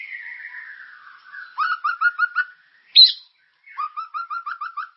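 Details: White-rumped shama song meant to prompt caged birds to sing: a long falling whistle, then a series of short repeated chirping notes, a sharp high note, and another quick run of repeated notes.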